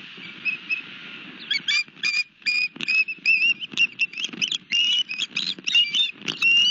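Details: Nest osprey on Long Beach Island, New Jersey, holding a fish one March evening in 2021: a rapid series of piercing, slightly rising chirps in uneven bursts, with low rustling beneath.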